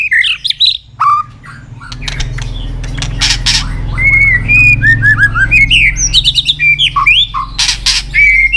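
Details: White-rumped shama singing, trained for varied competitive song: scattered chips and clicks over a steady low hum, then from midway a run of clear slurred whistles and quick chattering notes.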